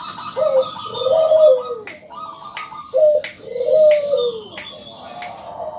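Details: Loud local zebra dove song meant to prompt other doves to sing: paired swelling low coos and strings of high clipped notes, broken by several sharp clicks.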